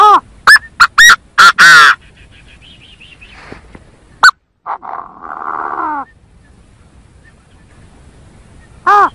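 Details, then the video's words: Chinese francolin lure call: a fast series of five harsh, rich notes opens the recording. It is followed by buzzy droning sounds and a single sharp note, and a final clipped call comes near the end. "Tiếng chim Gà Gô kêu chuẩn 100%"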